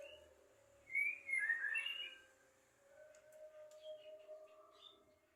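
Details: Javan myna, a chatty bird said to mimic speech and coughing, giving a loud burst of harsh, warbled whistles and squeaks for about a second, then softer scattered chattering notes over a steady background hum.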